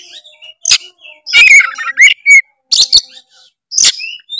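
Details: Energetic Oriental magpie-robin singing to challenge a rival, meant to provoke a lazy bird; brief loud whistled notes mixed with rasping bursts, separated by near-silent gaps.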